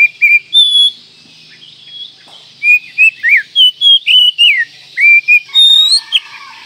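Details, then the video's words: Oriental magpie-robin singing a fast, varied series of bright whistled notes, rising and falling, delivered in quick bursts of roughly three per second with short gaps. "Masteran Kacer Manjur Pagi Siang Malam"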